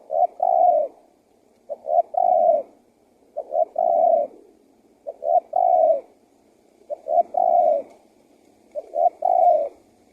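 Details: Spotted dove cooing to attract wild doves, six steady phrases of two short notes and a sustained descending coo, evenly repeated over ten seconds with a quiet background.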